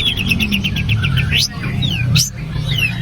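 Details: Long-tailed shrike singing a long, full imitation of a grasshopper. A rapid run of short ticking high notes gives way to sharp rising and falling whistled sweeps, over a steady loud low hum.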